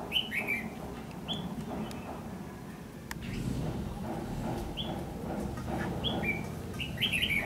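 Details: During bulbul trapping on 14 December 2015, a red-whiskered bulbul gives short whistled fighting-song phrases at irregular intervals. A sharp click is heard midway, over noticeable low rumbling background noise.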